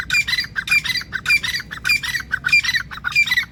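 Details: Grey francolin, known locally as teetar, giving loud grating phrases of clustered squawky notes, each phrase repeated in a steady rhythm about every half second.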